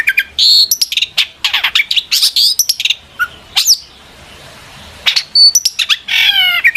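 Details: Long-tailed shrike in excited, continuous song intended to make other shrikes respond; tumbling mix of squeaky whistles, rapid chirps and buzzy trills, with a short lull midway.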